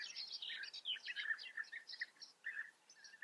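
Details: Breeding colony of European bee-eaters in the Eifel region of Germany, several birds giving overlapping burry, rolling chirps in quick succession with little pause, a steady chattering stream throughout.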